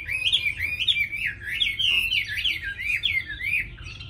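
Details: A tame Chinese hwamei sings a continuous chain of bright warbling whistles, each note quickly rising and falling, steady and rich, in a quiet indoor setting.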